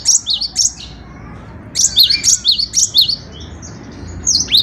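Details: Energetic gelatik batu, the cinereous tit, singing: a couple of ringing high double notes, a pause, then a fast string of five repeated two-note phrases and one more near the end.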